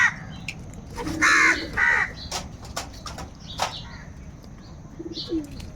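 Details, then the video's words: Crows squabbling over food give two loud, raspy, angry caws close together, followed by quieter clicks and faint chirps against constant low background noise. "Crow bird live crowing sounds - Angry kauwa ki awaaz | Kaka sound and noises of crow birds"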